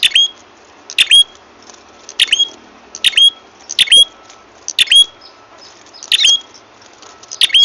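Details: Ashy tailorbird call played to attract birds into traps: a rapid, even series of squeaky bursts ending in brief high whistles, about one per second, over light background hiss.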